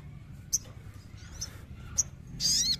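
Sogon giving three short, sharp high chirps about half a second apart, then a brief harsh buzzy burst; faint low background hum.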